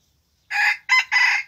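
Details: Young red junglefowl decoy rooster, with a spotted tail, out for its first trapping session, gives a short, hoarse crow in three quick broken phrases lasting about a second, with the start of another cut off.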